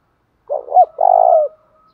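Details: Spotted dove cooing as a lure for training decoy birds: a brief two-part phrase, a short throaty double note followed by a longer sustained vibrating coo, clean with no other sounds.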